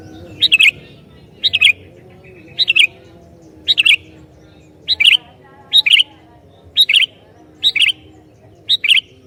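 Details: Vigorous sooty-headed bulbul that provokes other bulbuls with its singing. About nine crisp, bubbly, warbled phrases repeat roughly once a second, with a faint steady hum underneath.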